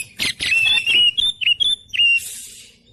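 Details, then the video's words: Oriental magpie-robin training song for caged birds, 'tembakan rapat' style: two harsh buzzy bursts, then a run of clear high whistles, and a hissing rasp to finish. "Masteran Kacer Tembakan Rapat"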